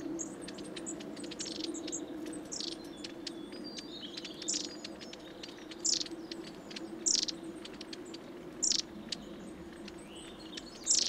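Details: Long-tailed tits crowding a suet feeder at Saltersford Locks in Cheshire during winter 2012/13; a stream of very high thin tsee calls and short trills, punctuated by loud clicks, over faint low rumble.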